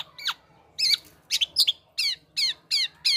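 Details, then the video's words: Black-naped oriole male copying other birds' calls: one descending note, then harsh, buzzy squawked chirps repeated about every third of a second, each slurring downward. "Gocor Aneh Kepodang Emas,Bisa Menirukan Suara Burung Lain."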